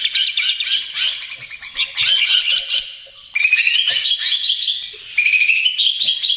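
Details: Energetic song of a young trotol greater green leafbird, meant to lure and soothe other birds: dense pulsed chatter, then long bright whistled strands that rise slightly, broken by brief pauses.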